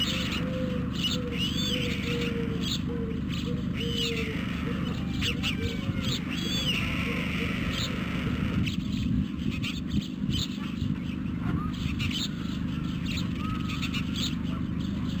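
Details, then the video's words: Hungry white stork storklets begging at a webcam nest in Carpinis, Romania, 12 August 2014: a rapid run of mewing notes for about six seconds, then mostly hum and noise, with occasional sweeping high chirps. "Poor, hungry storklets"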